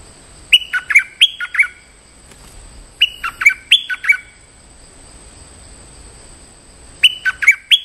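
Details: Stripe-throated bulbul lure call used to call in a territorial resident bird: short bubbly, chirping phrases of three or four quick notes, given in bursts about every three seconds with quiet gaps between, over a steady high hiss.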